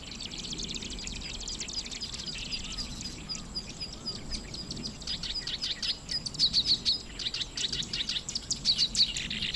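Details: Black-browed reed warbler in Watarase retention basin grassland, Japan, breeding season with eggs being incubated; faint high chatter at first, growing into louder bursts of rapid repeated sharp notes, with soft low background rumble.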